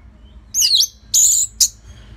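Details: Orange-headed thrush singing steadily, used as a lure to prompt and train other songbirds: three high, loud phrases, a sweeping warbled note, a dense buzzy burst and a short sharp note, over a quiet low hum.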